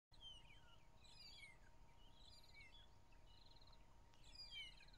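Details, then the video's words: Magpie-shrike singing on a morning drive, 15 April 2011: bright slurred whistles sliding up and down, given in short bursts near the start and end, over a steady background hiss and a faint buzzy note. "Magpie-shrike singing"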